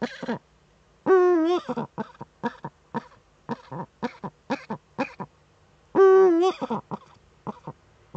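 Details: Courting female Eurasian eagle-owl in a breeding niche, nest camera in northern Rhineland-Palatinate, Germany, 10 May 2013: two long, wavering, nasal wails each followed by bursts of short clucking notes, with quiet gaps between.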